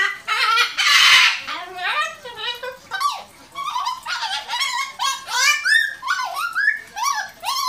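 A cockatoo opens with a harsh, rasping screech, then a rapid run of nasal, wavering squawks that rise and fall, roughly two or three each second.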